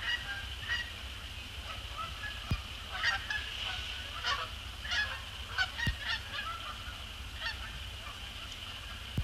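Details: Resident and migratory Canada geese arriving at dusk on Sapsucker Woods Pond, December 2017; a busy chorus of resonant honks comes in bursts, several per second at the peaks, with a faint steady whine behind.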